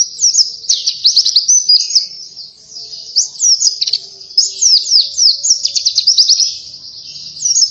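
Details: Vigorous twittering of an Oriental white-eye, meant to draw in other birds: quick high chirps delivered in loud clusters throughout, with brief softer pauses near three and seven seconds.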